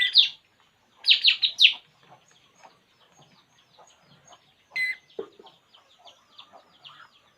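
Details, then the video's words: Puling bird at rest gives a few loud, high chirps in a quick cluster, then falls mostly silent. A single lower, descending note follows, with faint scattered twitters in the background. "burung puling. Inilah yg dilakukannya saat santay"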